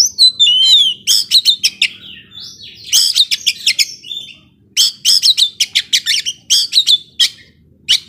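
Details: Young forest Oriental magpie-robin in full, intense song: clusters of rapid sharp chirps and clicks alternating with clear downslurred whistles, delivered in dense bursts with brief pauses.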